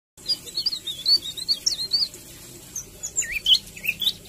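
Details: Captive-bred white-rumped shama song played to encourage mating and breeding: faint, high, varied whistled twists and slurs rising and falling in quick succession over a steady background hiss.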